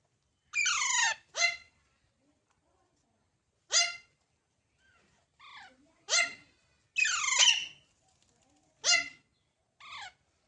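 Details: Baby parrots uttering short, harsh squawks in irregular bursts over ten seconds, some doubled, each a raspy harmonic call with falling pitch, separated by quiet gaps.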